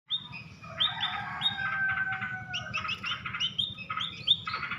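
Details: A tame munia (pipit) gives a quick run of thin, high chirps and twitters, almost without pause, over a faint low hum in the background.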